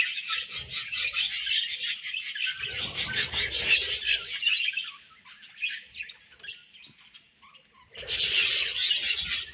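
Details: Budgies chattering in dense, rapidly pulsed warbling chirps, dropping to softer scattered squeaks midway, then bursting back into loud continuous chatter.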